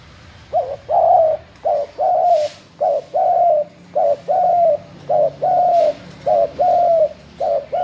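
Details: Spotted dove cooing: a short note followed by a longer mellow, slightly wavering coo, the pair repeated steadily about every second, clear and close with a quiet background.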